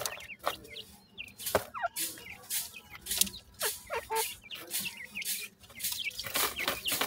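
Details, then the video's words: Irani teetar partridge chicks giving many short, high, hooked cheeps in quick overlapping series, several birds calling at once, broken by loud rustling and clattering bursts of handling noise. "partridge checks sound,irani teetar awaz"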